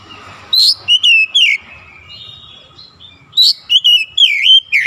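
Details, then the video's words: Oriental magpie-robin (kacer) singing in morning sunlight: loud clear whistled phrases of rising and falling notes in two bursts, with high sharp grace notes, separated by a quiet pause. "SINAR MATAHARI PAGI SANGAT AMPUH MEMBUAT KACER LEBIH GACOR"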